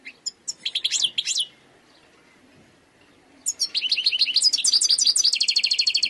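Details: Song of a wild European goldfinch. Short twittering phrases with liquid, bouncing notes come first, then a silence of about two seconds. A long, fast run of chattering trills follows, steady and bright until the end.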